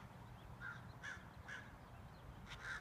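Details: Crows calling while harassing and chasing a hawk away from their colony; four or five short harsh caws spaced about half a second apart over steady low background rumble.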